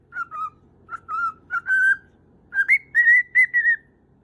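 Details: Lonely lutino cockatiel kept indoors, seeking its owner's attention; clean whistled notes in small groups, first lower and slightly falling, then a higher steady run of five or six short piping whistles.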